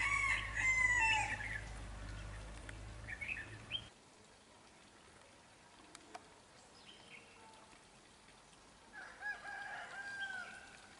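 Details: Red-whiskered bulbul kept as a trapping decoy delivers a loud run of whistled and warbled notes at first, then the recording goes quieter with softer distant chirps later.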